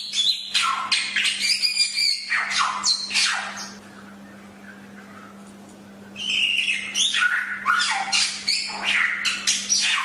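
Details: Chinese hwamei (samyong) in a tutor recording for training birds: loud varied song of rich whistles, rising and falling slurs and harsh buzzy notes, a two-second pause midway, over a steady low electrical hum.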